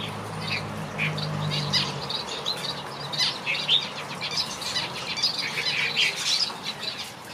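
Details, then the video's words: Finches in a backyard aviary giving a steady stream of high, short chirps and twitters from several birds at once, over a low droning hum during the first two seconds and soft fluttering. "finches sing a beautiful melody"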